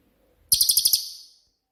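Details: Cililin, a shot-style bird used to train songbirds; one abrupt very high-pitched rattle of six quick, evenly spaced pulses lasting under a second, fading out.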